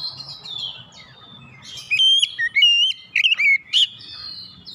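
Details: White-rumped shama singing to stir other shamas into song: a quiet lead-in, then sharp whistled notes and quick slurred phrases jumping between pitches, ending in a high burst, over a faint low background hum.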